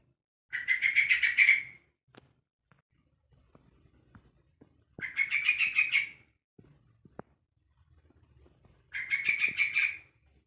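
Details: A one-month-old young Yellow-vented Bulbul repeats a harsh, buzzy chatter about every four seconds, three bursts in all, calling to other bulbuls, with faint ticks and rustling in the pauses.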